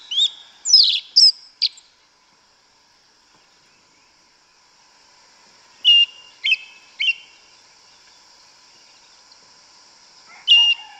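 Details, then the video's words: Sparse song of a yellow-legged thrush in woodland: a cluster of four sharp chirps, roughly four quiet seconds, then three quick downslurred notes and one more after a pause, with faint steady high hiss. "Sabiá Una cantando no mato. Lindo canto mateiro da sabiá preta"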